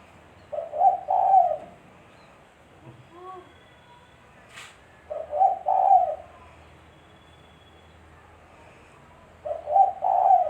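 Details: Spotted dove calling as bait for bird trapping: three throaty coo phrases spaced about four seconds apart, each a short note and two longer coos, with a faint chirp and a sharp click between.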